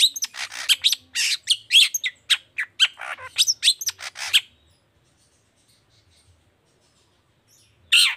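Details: Energetic long-tailed shrike song of the 'toet toet' type, played to stir other shrikes to answer: four seconds of crowded harsh chirps and rasping notes, then silence until one last scratchy burst at the end.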